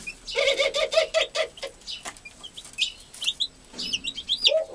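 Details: American hen tending newborn chicks: a run of pulsed, lower harmonic notes from the hen, then scattered shrill chick peeps and a final low note.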